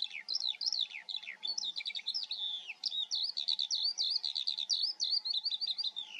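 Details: Eurasian skylark filmed in the Eifel singing an unbroken, bubbling cascade of high chirps, warbled phrases and repeated trilled figures, rapid and energetic throughout, with a faint hum behind.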